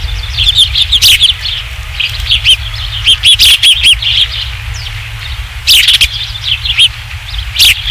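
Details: Osprey at the Dunrovin Ranch nest on 27 July 2016 around 19:55, during the third fish delivery: repeated high, sharp whistled chirps in quick rhythmic series, with a few louder broadband bursts, over a low hum.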